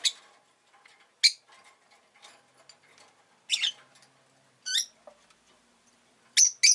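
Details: Pet rosy-faced lovebird chirping: loud, piercing, high squeaky notes about a second apart, some with a wavering quality, separated by quiet soft ticking.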